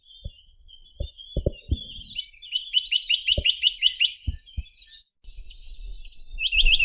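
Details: Chinese nuthatch song: a quick trill of about nine clipped upslurred notes, then another trill at the end, with a thin high chatter of other birds and several dull low knocks early on.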